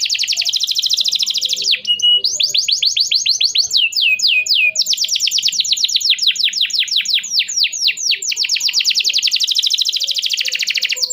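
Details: Canary pouring out a long 'cuit cuit emosi' song as a lure for learning youngsters: continuous high trills, a series of swooping down-slurred whistles, then fast rattling rolls without pause.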